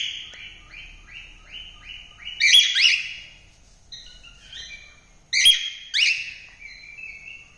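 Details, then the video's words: Cockatiel in melodious song: a run of six quick repeated chirped notes, then two loud bursts of harsh chirps and warbled whistles, each followed by softer phrases. "Cocktaiel Singing | Melodious Singing l Bird Singing"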